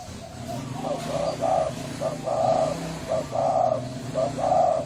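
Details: Spotted dove, Thai strain, hoarse voice, calling to stimulate males, females and wild birds: a run of low, gravelly coos in paired short and long notes, evenly spaced, over a steady low background hum.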